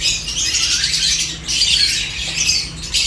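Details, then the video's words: A group of seventeen lovebirds feeding on corn fill the air with a continuous wash of shrill, overlapping chirps, dipping briefly in the middle before rising again, over a soft low hum. "17 Lovebirds Enjoying Corn with Peaceful Chirping sounds"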